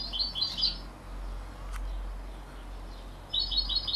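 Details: A 33-day-old canary × European goldfinch hybrid gives two bursts of rapid, high twittering chirps, one at the start and one near the end, with quiet room hum between.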